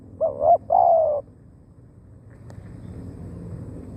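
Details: Spotted dove calling as a decoy for wild doves: one quick phrase of a short note, a rising coo and a longer falling coo, then a faint tap and quiet background.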